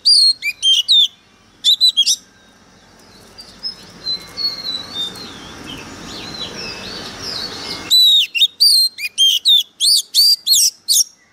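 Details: Decoy Oriental magpie-robin singing extremely harshly: loud, staccato whistled phrases, a quieter middle section with soft chirps over hiss, then a long fast run of piercing notes.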